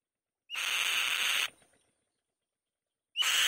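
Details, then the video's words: Loud, grating scream of a female white-tailed kite on the nest, about a second long after a quick rising whistle, followed by silence and the start of another scream. "White-Tailed Kite | The Female Bird Makes a Loud Noise On The Nest"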